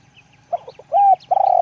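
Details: Spotted dove calling: a few soft broken notes, then a smooth arched coo and the start of a pulsed longer coo cut off at the end, with low hum behind.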